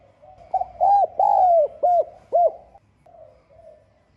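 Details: Spotted dove cooing in the 'giọng son' voice to call and provoke rivals. A single phrase of short coos, a long drawn falling coo and two clipped notes, followed by soft fading murmurs.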